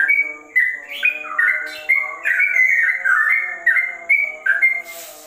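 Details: Rapid, mellow whistles from a sooty-headed bulbul whose song is compared to a straw-headed bulbul, notes chained closely with frequent pitch jumps and a brief rustling noise at the end.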